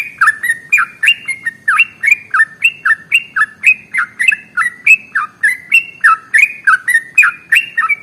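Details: Sooty-headed bulbul (trucukan) pouring out a long ropel song used to get other birds singing: loud, liquid whistled notes in rapid rhythmic series, each bending downward, steady and clean throughout.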